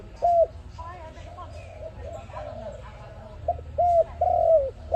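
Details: Dove recorded as a lure for trapping. One short hooked coo early on, then quieter murmuring, then a loud phrase near the end of short notes leading into a long, slightly falling coo.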